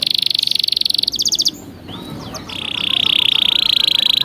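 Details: Canary masteran song for young birds. A rapid metallic trill is followed by a short pause with faint slurred notes, then a long, even, buzzy rolling trill.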